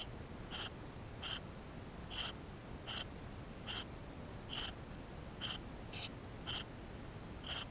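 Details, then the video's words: Eurasian tree sparrow nestlings inside the nest, filmed with a GoPro camera: short, high, squeaky calls repeated about every 0.7 seconds, some eleven in a row over a faint steady hiss. "Воробей полевой 160416 2 в №2016 6 160528 GoPro1440p птенцы внутри"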